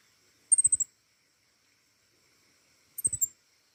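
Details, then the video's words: Flowerpecker called pentis raja delivering short, thin, very high phrases of about four quick notes slightly falling in pitch, given twice about two and a half seconds apart. "burung pentis raja gacor"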